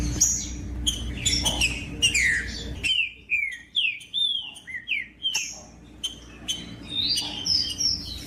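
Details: Green-winged saltator singing to get other birds singing: a series of loud, clear whistled notes, many sliding downward, given in quick phrases with short gaps, plus higher thin notes near the end.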